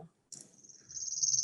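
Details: Chipping sparrow song: a very high, dry, insect-like trill covering a very broad range of frequencies, some very high. It begins with a sharp burst and grows louder as it runs on, over a faint low hum.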